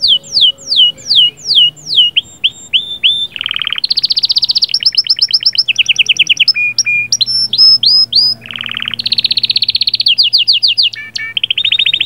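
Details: Canary singing rolls and chirping phrases to ready a female: descending whistled notes, then alternating rapid buzzy trills at different pitches, some long and steady, others broken into quick chirps.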